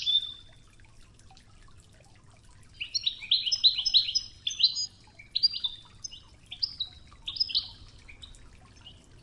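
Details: Wedani-style song of a European goldfinch on the original 'Toughza' training tape, flowing river in the background: quiet opening chirp, then a long run of high, rapid twittering and spaced bright chirps.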